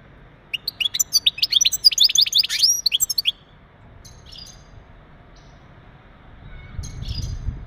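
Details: European goldfinch male singing mating calls to ready a female for breeding: a three-second run of quick, bright, twittering notes and rolling trills, then mostly quiet with a few soft chips and low rumble.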